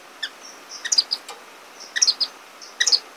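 Orange-cheeked Waxbill giving thin, high chirps in quick bursts of three or four notes, repeated about every second; nothing else heard.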